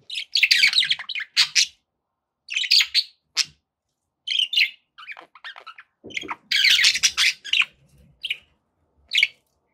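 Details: Pet budgerigars, several kept together, chattering in quick bursts of warbled, buzzy and chirping high notes, with brief pauses between clusters and a few sharp squeaks toward the end; no other sounds are clear.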